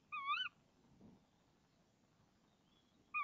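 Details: Female tawny owl calling from a nest box in the early morning of 26 March 2014 as the male delivers a frog. A wavering call with a rising-falling shape, a low muffled knock, then the start of another call.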